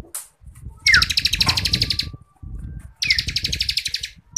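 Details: Bar-winged Prinia (ciblek kristal), tutor song for contest songbirds in 'ngebren' style: two bursts, each opened by a falling whistle, of rapid high pulsed notes over steady low rumbling noise.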